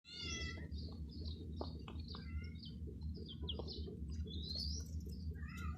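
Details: Hen's chicks chirping: a busy scatter of thin, high peeps, many sliding downward or arching, overlapping from several birds, with a steady low hum underneath.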